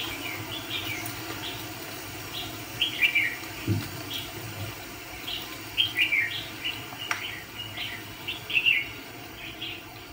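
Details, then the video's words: Red-whiskered bulbul, a decoy for catching fighting birds, sings short clusters of sharp, slurred chirping notes in loose groups separated by pauses, with a single soft thud in the background. "Chà mào bẫy đấu có tí che ché cung mau mỏ hầu bò cụp cầu"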